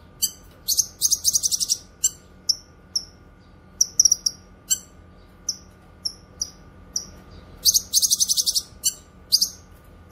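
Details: Grey-cheeked bulbul, locally cucak kinoy, recorded for song tutoring and luring: dense buzzy rattling trills at the start and again later, with many sharp high downslurred chips in between.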